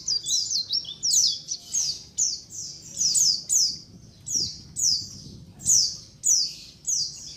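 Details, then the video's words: Lure sound of a white-eye colony: continuous chattering of high, thin, down-slurred chirps from several birds, pulsing in bursts about every half second, with faint low background noise. "SUARA KOLONI PLECI COCOK BUAT PANCINGAN PLECI AGAR CEPAT NGALAS | SUARA PIKAT BURUNG PLECI"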